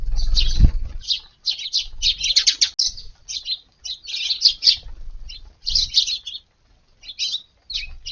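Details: Eurasian tree sparrows gathered at a garden for breakfast at dawn on a hot August 19th, after waiting on a neighbouring roof; bursts of sharp, high chirps come in irregular clusters with short gaps, plus a soft low thump near the start.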